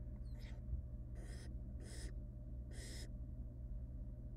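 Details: Wild barn owl young beg during a rabbit meal brought and torn up by the female in their nest box. One faint hiss, then three louder rasping snore-like bursts in quick succession, over a low hum.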